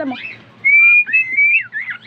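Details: A pet cockatiel trained to sing whistles a learned tune, 'If You're Happy and You Know It', in clear, pure notes that slide and bend up and down.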